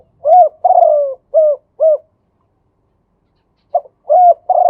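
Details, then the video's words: Male spotted dove giving a 'khu ang' song with a two-kuk ending: four soft, low coos, the second drawn out and sinking, then a pause of nearly two seconds before three more coos begin, in otherwise quiet surroundings. ""มาชม คูอ่าง ขันโยน2กุก" พ่อนกคูอ่าง ภาพเสียงชัด"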